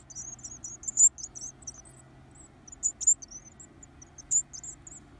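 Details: Varied tit chicks calling for food while being fed: a rapid run of high, thin squeaks at first, then scattered louder shrill chirps at intervals of about a second or more.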